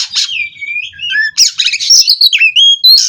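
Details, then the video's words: Captive kacer (Oriental magpie-robin) singing 'ngerol' style: smooth descending whistles, then a loud scramble of chips and twangy, looping whistled notes repeated rapidly. "Kacer Ini Ngerol Tanpa Henti"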